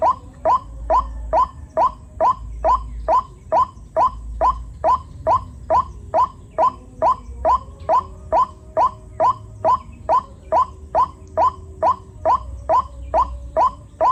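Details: Rainy-season white-breasted waterhen chicks giving a steady run of brief upslurred squeaks, evenly spaced about twice a second for the whole stretch, with faint low hum beneath.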